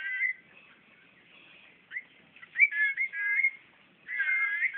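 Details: Magpie-robin in Brunei, 2013, singing at its own reflection in a mirror: clear, slurred whistled phrases separated by pauses, a short burst at the start and fuller looping whistles near the end.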